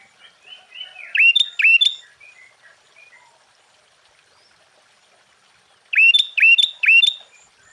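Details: Sooty-headed bulbul singing to rouse other bulbuls: pairs and triplets of sharp, rising, hooked notes, with a long near-silent pause between the two bursts.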